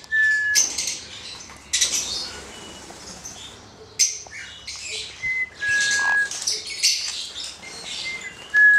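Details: Hand-reared male black-headed caique giving scattered rasping shrieks mixed with short, pure steady whistles, with quieter stretches between bursts and a faint low hum in the room.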